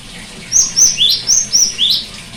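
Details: Cinereous tit singing, used to coax a bird that has stopped singing: clear high whistles paired with a lower upswept note, repeated as two identical three-note phrases, six notes in about one and a half seconds.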